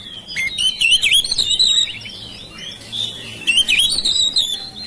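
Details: Oriental magpie-robin kept at home, singing to encourage silent birds to start: two rich phrases of rising and falling whistles with rapid scratchy notes, separated by a quieter stretch.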